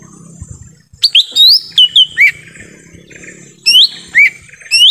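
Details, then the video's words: Lesser green leafbird in forest, a call used to lure wild birds: clustered upslurred and downslurred whistles, some held briefly, in quick bursts, with low faint background rumble. "suara asli pikat cucak ijo mini di hutan"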